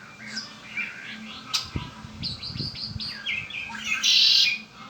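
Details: A pet red-winged blackbird gives quick clipped introductory notes, then a loud grating buzz near the end. Scattered rising chirps and a few low knocks fill the background.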